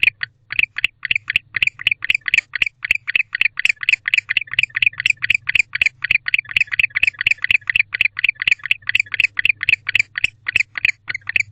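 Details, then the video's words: Male barn owl calling to his mate from a nest box on an October night at 10:37 pm: a fast, unbroken run of short raspy chirps, roughly three or four each second, with a constant low electrical hum and sharp clicks beneath. "Male Barn Owl Back in the House Calling to His Mate"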